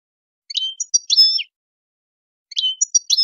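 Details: A wild European goldfinch sings two short bursts of bright, liquid twittering, high tinkling notes and quick trills, separated by a second of quiet.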